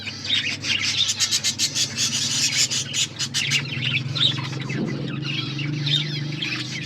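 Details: Pet budgerigars eating food: a quick burst of sharp, clicking ticks in the opening seconds, then soft warbled chirps and chatter, over a steady low hum.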